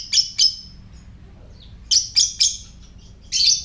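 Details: Typing-style ngetik call of a lovebird, intended to lure others and prompt breeding: a quick pair of shrill chirps, a pause, then three fast harsh chirps and a longer rasping burst, against a low steady hum.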